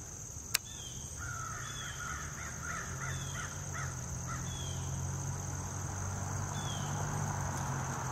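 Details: Woodpecker chick begging while being fed, Lafayette County, Mississippi, 15 August 2021; a quick run of short rising-and-falling nasal notes for about three seconds, over a steady low hum and high insect buzzing.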